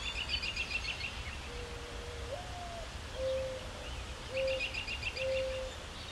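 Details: Mourning dove cooing in a maple tree: a low, soft opening coo that swells upward and slides down, then three steady, even hoots, with high chirping from other birds in the background.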